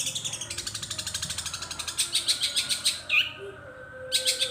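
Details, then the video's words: Long-tailed shrike song that imitates other birds, including gereja petir, kunti and tengkek buto. A soft, fast, even ticking chatter builds into louder harsh bursts, broken by a single rising whistle, with a faint hum underneath. "bunyi super panjang cendet isian gereja petir,Kunti, dan Tengkek Buto"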